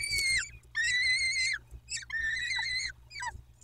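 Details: At a peregrine falcon nest in Dobra in May, 14:18: insistent, nasal, rasping screams, two long ones lasting most of a second interspersed with short, downward-sliding notes, set against a faint background hum.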